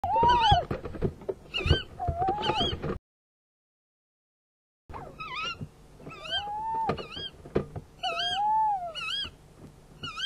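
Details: Tawny owls at a nest camera on 11 February 2016 at 23:44, during a prey handover: long drawn, slightly wavering calls alternate with shorter, higher wavy notes, with a pause of silence in the middle and knocks from inside the nest.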